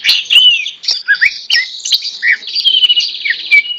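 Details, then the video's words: Tame greater green leafbird singing vigorously while held in a hand: a dense, fast run of varied whistles and chattering trills, with slurred notes and rapid buzzy warbling at the end. "Burung Cucak Ijo Jinak Gacor Meskipun Di Pegang Tangan"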